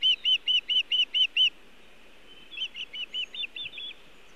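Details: At a Montana nest on an early June 2017 evening, an osprey arriving with nest material and no fish gives seven strong high chirps, falls silent, then adds seven softer, slightly hurried notes.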